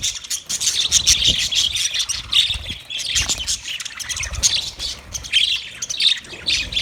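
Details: Budgies on 9 March 2024 keep up a loud steady twitter of high chirps, squawks and warbled notes from many birds at once.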